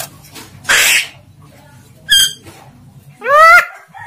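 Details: Talking Javan myna, speech imitation described as indistinct: a hissing burst, a brief harmonic squeak, then a longer nasal voice-like syllable with rising and falling tone.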